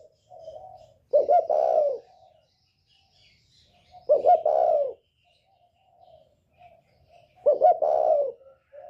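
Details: Northern spotted dove, 'còi bổi ghét' voice style, calling to provoke rival birds: three low cooing phrases roughly three seconds apart, each a quick double note followed by a longer sustained coo, with faint soft notes between.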